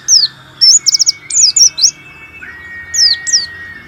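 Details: Warbling white-eye singing strongly, played as encouragement for white-eyes that sing little: piercing high downslurred notes mixed with a fast trilled series, delivered in two lively bursts, with a faint tonal whine underneath.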